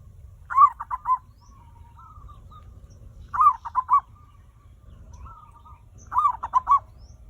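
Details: Zebra dove lure song for prompting other birds to sing: three phrases about every two and a half to three seconds, each a cluster of quick, bubbling coos, with faint softer coos trailing between them.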